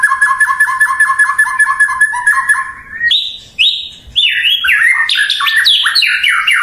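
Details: White-rumped shama singing to provoke a rival: a fast run of about fifteen identical falling notes, then higher drawn whistles and a jumble of quick varied notes leaping up and down.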